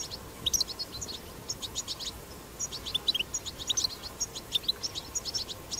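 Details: European goldfinch, wild, delivering 'batbata' song used to stimulate singing in goldfinches; bursts of quick, liquid high chirps and twitters, separated by short gaps, over light background hiss.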